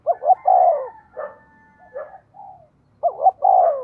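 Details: Decoy spotted dove giving fast-paced cooing meant to lure wild doves into answering; low, hollow, rounded coos in quick bursts of two or three notes, brief pauses, then the phrase resumes.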